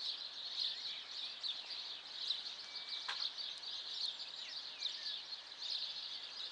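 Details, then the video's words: A morning bird chorus in town, filmed 14 April about 7:15: overlapping high twittering and quick chirps run steadily throughout, with a brief sharp crack midway and a thin whistled note just before it. "Le chant des oiseaux"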